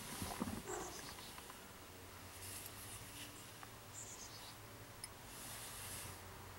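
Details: Chickadee chicks leaving the nest on 24 May 2015 give faint, very high, thin notes in two quick falling runs of four or five, over a low steady hum and bursts of soft rustling hiss.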